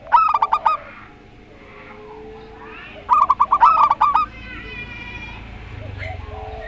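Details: Rondo Semoyo local zebra dove versus a strange-voiced zebra dove: two short rolling, stuttered coo phrases about three seconds apart, with a faint hum between them.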